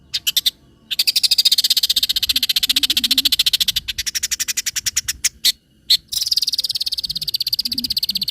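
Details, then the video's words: Long-tailed shrike song, recorded clear and loud for training other birds. Long, dense buzzy trills of rapid high pulses, broken by short silences and single sharp notes, with a harsh rasping run near the end. "PANCINGAN CENDET FULL MATERI ISIAN SUARA JERNIH DAN NYARING"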